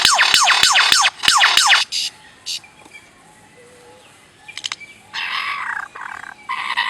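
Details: A bird making different noises: a rapid run of six loud descending chirps, then scattered clicks and harsh buzzy bursts with quieter gaps between.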